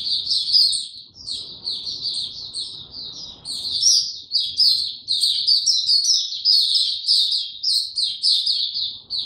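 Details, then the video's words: On 29 April 2022 a caged white-eye, given no supplements, sings loudly in a rapid stream of high, squeaky twittered notes, phrases rising and falling with short breaks, in an otherwise quiet room. "Mata Puteh Hercules buka sing"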